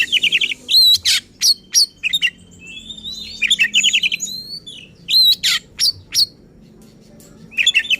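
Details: Lively, agitated oriental magpie-robin song meant to provoke other magpie-robins: loud whistled notes, sharp rising and falling slurs and fast trilled bursts in bright phrases separated by short pauses.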